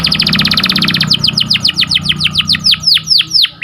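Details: Canary delivering a sharp rolling cuit-cuit song used to train canaries: a fast buzzy trill, then slower repeated descending whistled notes about four per second, with low background hum.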